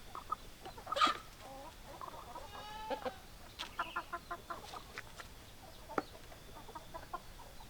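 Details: Hens give runs of quick, evenly spaced clucks, a few drawn-out tonal calls among them, and one sharp squawk early on, against a quiet background.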